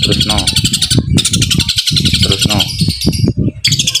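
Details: Long-tailed shrike in one-breath 'tembakan gereja' fighting song, a loud, harsh, high chattering stream broken by brief gaps, over low speech-like sounds and clicks.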